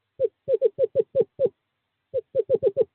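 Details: Male eastern screech owl calling a female to nest box 5 during courting season, 2/11/2023: two bursts of short, mellow, low hoots, six notes then five, each slightly falling in pitch, separated by a brief pause.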